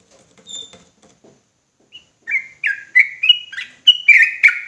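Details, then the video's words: Sooty-headed bulbul singing agitatedly: faint soft notes first, then an accelerating string of loud, fluty, slurred whistles, alternating higher and lower. "Trucukan gacor ROPELAN NGOTOT EMOSI !!!"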